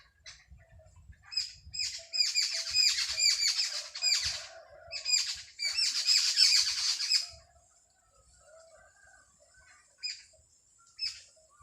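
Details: Early morning sparrow chirping in a village: bursts of sharp, high repeated chirps in a busy flurry for several seconds, then quieter with a few isolated notes; faint low background rumble.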